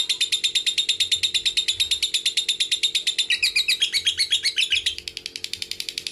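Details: Long ngekek trill of a lovebird, a training lure for young birds, fighters and females: fast buzzy notes running continuously, shifting to a rougher, more broken texture midway, then fading slightly near the end, with a faint steady hum behind.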